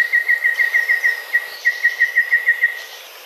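Golden Babbler: a fast run of short, clear piping notes on one steady pitch, about five a second, with a brief pause midway. Nothing else is heard.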